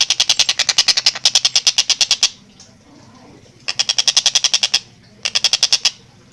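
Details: Long-tailed shrike singing vigorously, captured clearly at a rapid, tight tempo for training kept songbirds in Indonesia: three bursts of harsh, evenly repeated chattering notes, the first long, with short quiet gaps and faint room noise.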